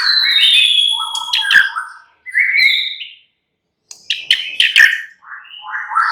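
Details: Caged white-rumped shama singing a relaxed, varied song: slurred whistles falling from high to mid pitch, harsh buzzy notes and sharp clicks, with a two-second silence midway.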